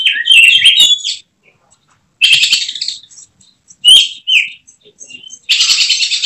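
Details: Caged oriental magpie-robin (kacer) in contest prospect form, emotion turning into rapid 'tembakan' bursts: loud, very high, dense chattering and whistled phrases in bursts of about a second, separated by short silences.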